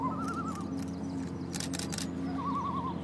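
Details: A curious pair of Great Northern Divers (Common Loons) duets on Ljosavatn, northern Iceland, about 20 m away. Two quavering, wavering mid-pitched calls come at the start and near the end, over a low steady hum with brief rushing bursts.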